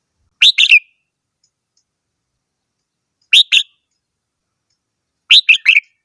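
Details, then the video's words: Red-whiskered bulbul song in three short bursts about every two and a half seconds, each a rapid cluster of two or three bright, chirping notes sliding downward, with clean silence between phrases. "chim chào mào hót - tiếng chim chào mào hót"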